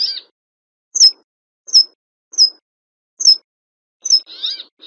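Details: Brambling giving thin, high, sharply down-slurred notes about every three-quarters of a second, then a harsh, nasal, buzzy rasp at the end, in otherwise silent surroundings.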